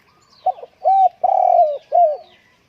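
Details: Spotted dove at home on a windy day delivers one full phrase of four rich, hollow coos, the third long and drawn out, the last slightly falling.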